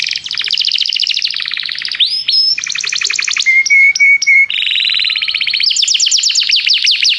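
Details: Canary singing to call a companion bird into song, part of song training; fast rolling trills in shifting tours, a short steady whistle-like segment near the middle, then high rapid trills, bright and continuous throughout.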